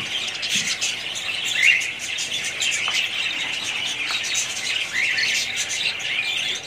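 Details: Budgerigars chattering together: a dense, continuous wash of high chirps and warbling twitters, with overlapping squeaky notes throughout and no pauses.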